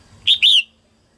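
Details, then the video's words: Female red-whiskered bulbul singing early in the 2022 season to stimulate males. There is one brisk phrase: a clipped bright whistle, then a longer liquid warble sliding downward. "Tiếng chim Chào mào mái hót kích trống đầu mùa 2022"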